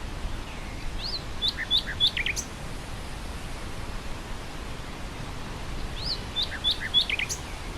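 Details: Nightingale song in windy grassland: two short phrases, several seconds apart, each of quick, high, upslurred whistled notes ending in lower chattering notes, with constant wind rush underneath.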